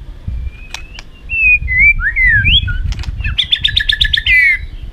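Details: White-rumped shama singing a fighting song for training: smooth slurred whistles, then a quick series of rapidly repeated sharp notes and a falling whistle.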